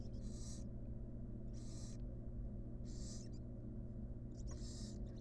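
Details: Wild barn owls in a monitored nest box on the day the sixth and last nestling hatched: four loud breathy hisses, each about half a second, repeated roughly every 1.2 seconds over a steady low hum.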